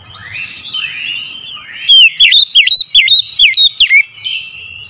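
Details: Oriental magpie-robin morning song used as a lure: gentle rising whistles lead into a loud sequence of clear, piercing notes, several with steep downslurs, roughly nine notes over two seconds, fading into a sustained soft whistle.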